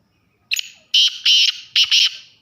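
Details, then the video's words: Male black francolin giving its breeding call: a short introductory note, then four loud, harsh, grating bursts in two closely spaced pairs, ending abruptly in silence. "کالا تیتر بلائی ویڈیو"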